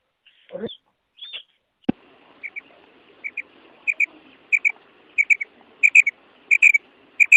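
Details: Female quail giving sharp paired whistled notes, repeated a little over once per second and growing louder, after a few opening sounds and a click, over a faint low background hum.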